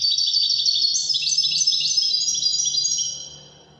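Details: Moroccan Widani-style song from a European goldfinch: a dense stream of quick, liquid twitters and sharp tinkling notes that slowly drifts lower, then fades out near the end.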